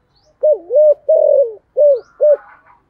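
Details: Calling Spotted dove kept as a lure bird, 'giọng thổ' voice style: a low, hollow four-part phrase rising into a double coo, then a drawn-out falling note and two short coos, with a faint chirp behind.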